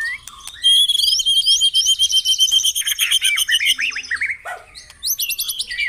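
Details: White-rumped shama singing, played to encourage caged birds to sing: a bright rising whistle opens a fast stream of stacked chattering notes, followed by falling slurs and a final burst of high rising calls.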